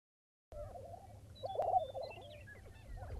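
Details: Lesser prairie chickens near Buffalo, Oklahoma, on an early morning outing: a low warbling run of cackles and wavering notes starts after half a second of silence, with a few higher chirps above and steady wind rumble beneath.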